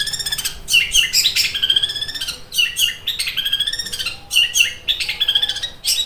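A long-tailed shrike sings fast, harsh, rattling chatters, like fighting sparrows or a sewing machine, broken by brief sharp whistles in bursts every second or two.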